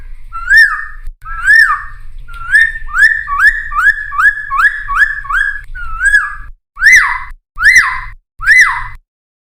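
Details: Cucak timor, kept as a songbird, singing a lure song for wild birds: a loud series of rising, slurred whistles repeated about once a second, each with bright upper overtones, with a faint low hum beneath.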